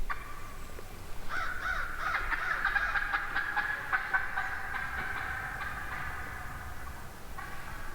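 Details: Morning flock of wild turkey hens, recorded from a hunter's setup in the middle of the flock: a steady run of raspy yelps, more than two per second, blending with other hens calling nearby.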